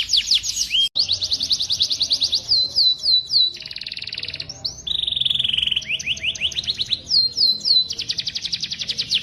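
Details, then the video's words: Training song of a white-rumped shama: rapid high trills and chattering bursts, a harsh buzzy mid-pitched rasp, then repeated rising whistled notes and a long fast trill to finish. "masteran murai"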